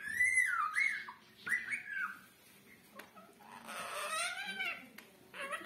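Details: Pet parrot greeting with a namaste after touching feet: a run of harsh, voiced, speech-like phrases with rising and falling tones, in short bursts separated by brief pauses, then a longer, rougher phrase near the end.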